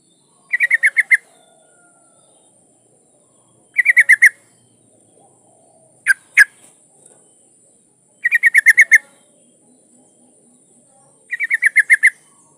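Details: Female yellow-vented bulbul in breeding condition calling to a male: repeated quick bubbling chatters of six to eight notes every few seconds, with two isolated sharp notes between, and a constant faint high whine.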